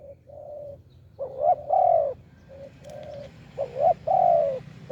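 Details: Spotted dove, a wild bird with a big voice, coos off-rhythm near a decoy: two flat low hoots lead into a loud rising double note and a long falling coo, and the pattern repeats once.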